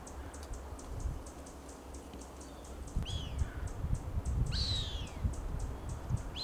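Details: Juvenile Cooper's hawks (Accipiter cooperii) in Monterey pine forest at SFB Morse Botanical Reserve, Pebble Beach, California, during an encounter between a young and an older hawk: thin, high, downslurred whistled screams a second or two apart, over faint ticking and low rumble.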